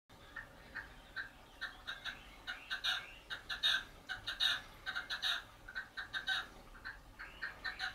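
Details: A red-legged partridge singing while hidden behind low scrub gives harsh, chuffing notes in quick rhythmic bursts, building into a repeated grating series over a faint background hiss.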